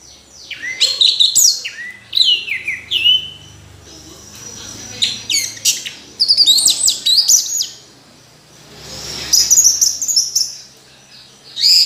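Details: Orange-headed thrush singing in bursts of varied, rich whistled phrases with quick slurred notes and rising and falling sweeps, broken by short pauses of a second or two. Faint low background hum.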